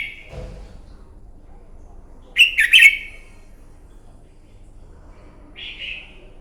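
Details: Red-whiskered bulbul fighting song used in the morning to train a bird: two short bursts of bright chirpy notes near the middle, then a lone whistled phrase near the end, with a faint thump at the start.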